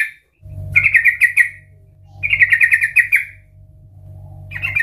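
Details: Gacor yellow-vented bulbul, a lure to start other birds singing: two rippling, bubbly phrases about a second long separated by pauses, over a steady low hum.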